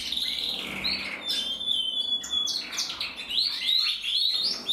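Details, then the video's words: Male canary in red-black mosaic plumage, bred in the Loisach valley, giving thin sustained whistles and quick chirping notes repeated about three times a second, ending in rising chips. "Kanarienvogel Rot-schwarz schimmel 2022"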